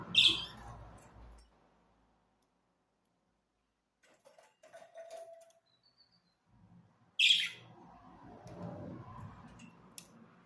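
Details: Budgerigars chirping: two loud, short, harsh chirps about seven seconds apart, with soft rustling and faint clicks between them.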